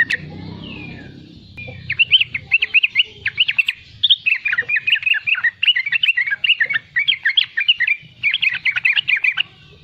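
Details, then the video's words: Young sooty-headed bulbul in 'riwikan' chattering, played to draw song from young and wild-caught bulbuls; after a noisy opening, a steady stream of quick, bubbling, slurred notes fills the rest. "Riwikan trucukan muda gacor untuk pancingan bunyi trucukan bakalan dan anakan"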